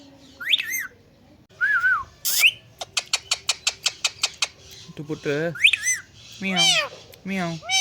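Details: Talking Indian green ringneck parrot on a plant, kept as a pet: rising whistled squeaks, a burst of about eight rapid clicks, then several harmonic speech-like squawked phrases with lower voiced sounds.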